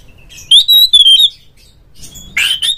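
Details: Oriental magpie-robin in ngeplong song, played to make other magpie-robins sing: a clear, slightly wavering whistled phrase followed after a pause by a rough, buzzy burst of notes.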